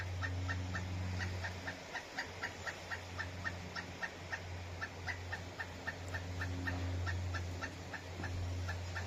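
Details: Pileated woodpecker in Palm Coast, Flagler County, Florida, calling loudly as if complaining that a tree held no bugs: a rapid run of sharp, clucking notes, about four each second, over a steady low hum.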